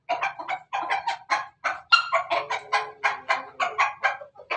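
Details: A Pelung chicken utters a laughing crow as a steady, rhythmic chain of short, punchy syllables, roughly three per second for over four seconds, with one brief, faint drawn tone in the middle.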